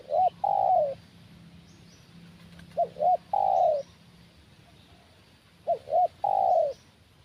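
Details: Repeated coo phrases of a spotted dove during trapping with a decoy bird: three phrases, each two short hooted notes and a longer falling note, spaced about every three seconds, over a quiet outdoor background.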